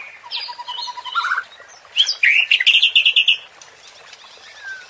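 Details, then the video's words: White-rumped shama singing a provoking phrase for contest-bird training in Indonesia: a soft low whistled run rising at the end, then a loud rapid series of rich, buzzy repeated notes before fading. "MURAI BATU JADI TERPANCING EMOSI DENGAN SUARA PANCINGAN INI | shama bird | murai batu"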